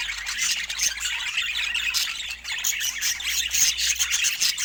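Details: Budgerigars squawking and twittering together in a steady, crowded stream of high chirps and rasping notes, with occasional thin whistled squeaks.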